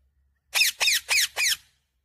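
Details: Parrot giving four harsh, buzzy squawks in quick succession, each about a fifth of a second long, against a quiet background.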